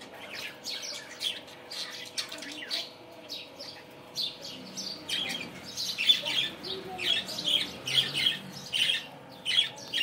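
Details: Several budgerigars chirp busily in the morning, with quieter scattered squeaks at first, then a dense run of loud, rapid chirps and warbled notes in the second half.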